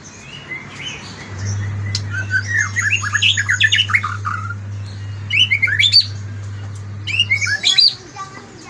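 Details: Morning song of a white-rumped shama: varied whistled and chattering phrases, some rising sharply, delivered in bursts separated by brief pauses, over a constant low electrical hum.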